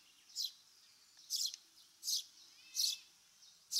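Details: Japanese recording of a Eurasian Tree Sparrow repeating high, slightly buzzy chirps roughly every 0.7 seconds. Five notes are heard, with a faint softer note in one gap.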